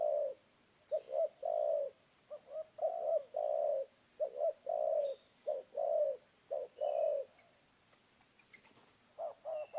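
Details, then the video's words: Repeated low cooing from a spotted dove, locally terkukur, in phrases of short and long notes, pausing near the end before resuming, with a faint high hiss behind. "Burung terkukur"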